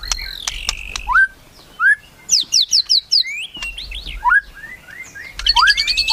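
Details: Melodious shama singing rich whistled phrases: rising, fluted upslurs alternate with quick bursts of clear, high swooping notes and pauses between them, giving a varied and musical delivery.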